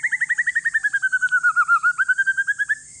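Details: One-year-old white-rumped shama of Aceh forest lineage, kept to encourage silent shamas to sing. It produces a steady rapid trill of about nine hooked notes per second that dips slightly in pitch and rises again, with a steady high hiss behind it.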